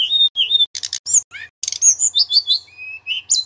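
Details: Male Sunda robin in lively song, recorded to teach young magpie-robins. Steady whistled notes alternate with harsh buzzy bursts and sweeping slurs, with a faint low hum in the background.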